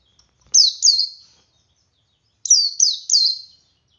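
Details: Ngalas singing by a male Oriental white-eye, used as a lure for other white-eyes: a pair of high, falling whistles, a two-second pause, then a run of three more.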